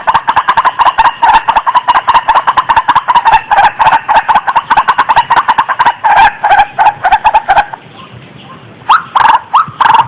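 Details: White-breasted waterhen lure call used to attract birds: loud, harsh, clipped notes repeated rapidly, about six per second, break off near the eighth second, then resume in a few strong bursts.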